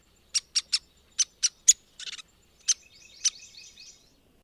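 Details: Downy Woodpecker, found in backyards and parks almost everywhere: six crisp, high 'pik' notes, a brief buzzy chatter, two more piks, then a soft run of descending whinnying notes.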